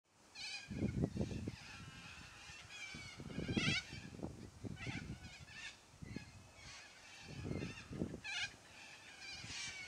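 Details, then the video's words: A noisy flock of yellow-crested cockatoos giving loud squawks: harsh, raspy screeches with broad harmonic bands, overlapping from several birds in bursts, with low thumping handling or wind noise between calls. "Noisy Yellow Crested Cockatoos Take Over!"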